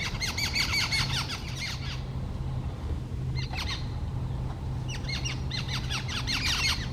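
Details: Noisy group of jungle babblers in an office back garden in West Bengal, India: bursts of harsh, chattering squeaky notes repeated rapidly by several birds together, pausing then resuming, over a steady low hum.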